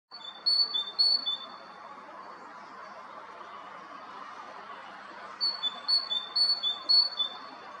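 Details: A tit sings on a branch in a forest on 12 April 2021, Zarechny: bright, high two-note see-saw phrases in two quick bursts of three or four repeats, over a soft steady hiss of background noise.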